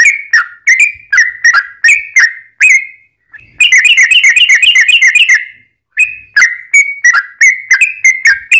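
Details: Sooty-headed bulbul lure recording to get other bulbuls responding: whistled descending notes, then a dense rapid trill of buzzy notes, a pause, and more spaced whistles.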